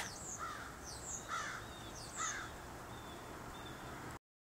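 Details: Crows perched in a neighbour's tree before a blizzard, making a racket: three hoarse, fairly distant caws roughly a second apart, followed by fainter calls, over steady rushing background noise.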